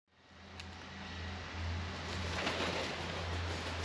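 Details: Low engine-like droning and a steady hum build up quickly and continue under a broad hiss, with no calls heard.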